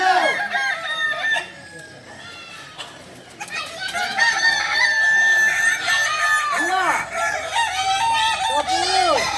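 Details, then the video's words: Kukuak Balenggek roosters, singing chickens native to Solok, at a crowing performance training session. Several crows overlap through most of the recording: bright, arched, multi-syllable phrases, with a short lull near three seconds. "Latihan prestasi Ayam kukuak balenggek ayam penyanyi asli Solok"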